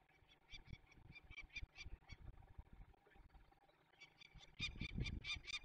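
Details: Peregrine falcons in the Barycz Valley, Poland, on 27 May 2020, during the release of young birds: harsh, harmonic notes repeated about three per second in two bursts, with low rumbling background noise.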